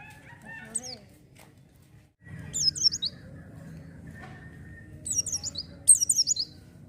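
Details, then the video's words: Lively oriental white-eye song meant to spur untrained birds to sing, with scattered high, thin descending chirps in short bursts and a few lower notes, partly masked by a steady low rumbling hum. "pancingan pleci gacor cocok untuk burung bahan"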